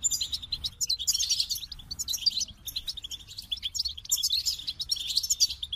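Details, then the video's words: Goldfinch delivering rapid, jingling song phrases of high chirps and twittery trills, with a brief lull before the next outpouring. "The Captivating Call of Goldfinches"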